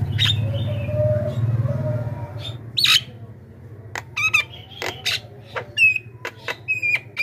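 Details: Javan myna lure recording of loud screeching calls meant to draw in wild mynas: after a steady low hum with a faint drawn tone, harsh broadband squawks burst out, mixed with short whistled notes and ringing tones.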